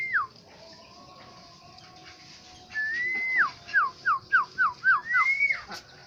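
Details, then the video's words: Black-naped oriole from Aceh giving a short downslurred whistle, a pause, then a held fluted note followed by a quick run of about seven clear, falling, liquid whistles and a final rising note. "Burung Kepodang Asli Aceh"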